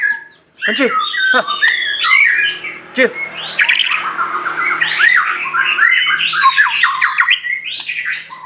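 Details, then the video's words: Aceh white-rumped shama delivering a dense, busy song: harsh clicks at first, then a rapid flow of varied whistled and slurred notes, full and continuous. "murai batu aceh,isian mewah gaya mantap"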